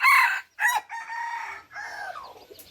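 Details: Close, loud crowing from an F3-generation red junglefowl: two sharp opening bursts, then drawn-out harsh notes sliding downward, with faint chirps in the background.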